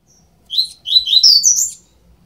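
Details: Twelve-day-old double-collared seedeater nestlings giving loud, high, squeaky chirps in two quick bursts, with quiet indoor surroundings.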